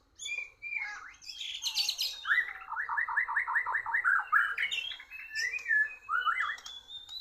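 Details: Competing with a Borneo bird, an oriental magpie-robin delivers a fast series of about eight repeated bright notes. Higher chirps come before it and varied whistled phrases follow.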